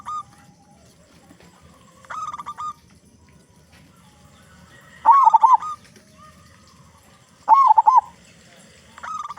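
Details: Local zebra dove with a loud voice, song used to make other doves sing; bubbling coo phrases roughly every two and a half seconds with shorter level trills between.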